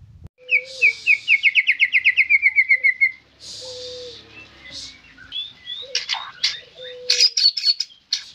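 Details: White-rumped shama singing actively: a fast run of about eighteen bright, descending chirps, then a mix of short whistles, buzzy bursts and sharp high notes over a faint low steady tone.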